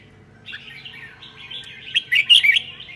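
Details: Red-whiskered bulbul in Sơn La, Vietnam, singing in the 'ché' style on a cold day. After a quiet start, bright warbled notes build into loud, quick, chirpy bursts near the end. A faint low hum sits underneath.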